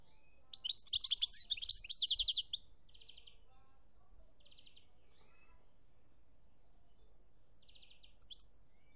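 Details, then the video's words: European goldfinch song from Algeria in 2017: one loud, dense burst of rapid twittering and buzzy trills, then three softer short trills spaced apart and a final faint chirp over a quiet background. "chont chardonneret algerie 2017"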